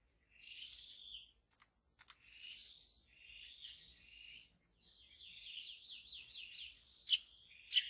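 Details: Wild white-rumped shama in deep forest; faint varied song phrases with whistles and buzzy notes, a trilled wavering passage near the end, then two sharp loud clicks.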